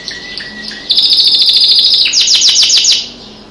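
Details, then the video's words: Canary kept as a pet sings alongside birds outside a window. A few thin high notes lead into a loud, rapid, even trill, then a faster series of sharp descending notes before it fades. "singing canary"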